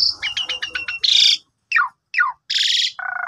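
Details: ['Asian pied starling morning lure for a sulking bird: a rapid ladder of chirps, a harsh hissing burst, two sharp downslurred whistles, another rasping burst and a low buzzy trill.']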